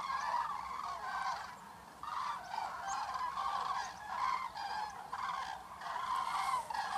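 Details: Common cranes at sunset in the evening near Negast, arriving to head for the lagoon for the night, recorded on a camera; loud trumpeting, rolling calls from several birds overlap in repeated bursts, with steady background hiss.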